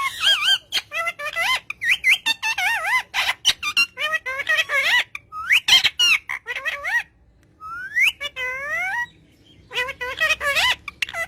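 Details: Green pet parrot talking to its owner in a rapid run of warbling, voice-like syllables with wavy pitch, followed by a quieter gap and a few rising, drawn-out notes near the end.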